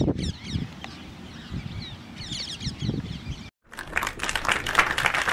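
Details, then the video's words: Common myna, male and female, calling: high scratchy chirps over low rustling, then after a brief silence a louder burst of harsh, noisy, rapidly repeated calls. "Call or Song of Male & Female Call of common Myna Male"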